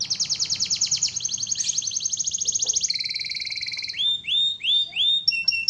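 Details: Canary in full voice, recorded for song training: a long, fast, rattling trill that slowly drops in pitch and changes tone twice, ending in slurred, swooping whistles repeated about once per half second.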